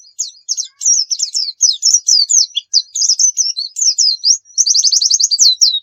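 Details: Oriental white-eye in sustained gacor singing, recorded as a tutor for other birds: a rapid high chain of thin twittering slurred notes, closing with a quick burst of about ten evenly repeated chips.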